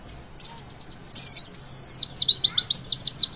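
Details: High sliding whistles from a Javan white-eye build into an even, rapid series of about ten sharp downslurred chips, witwit song used to encourage young birds to sing.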